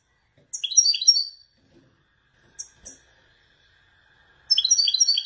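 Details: A Wediani European goldfinch male, kept caged in Morocco, sings in the Marrakchi descending style. A high, quick twittering phrase comes first, followed by two tiny chips, then a fast, sparkling trill resumes at the end.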